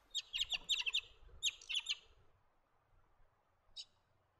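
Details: Blue Bonnet, a parrot of dry eucalypt woodland in south-east Australia, feeding on the ground; quick clusters of sharp, scratchy chattering notes in two bursts, then a pause and one short final note, with faint low background noise.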